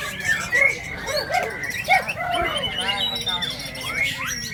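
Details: Several caged White-rumped Shamas sing at once at a daytime songbird contest in Indonesia, a dense tangle of rich whistles, rising and falling slurs and quick chattering phrases, with crowd murmur beneath.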